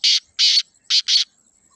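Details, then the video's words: Black francolin giving its call: four loud, rasping, buzzy notes in two pairs, each pair quick and clipped, over near silence. "کالے تیتر کی آواز | Black Francolin Beautiful Call"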